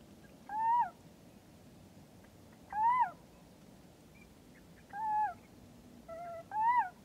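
Little owl giving four mewing, rising-then-falling kiew calls about two seconds apart, with a faint short tone between the last two and a quiet background hiss.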